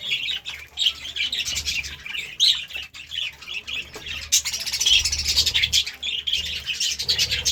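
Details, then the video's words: Morning chirping of a budgerigar, a continuous busy stream of rapid, squeaky warbles and chirps that swells toward the middle, over a faint low electrical hum. "Budgie Sounds part 33 | A beautiful chirping sound in the morning"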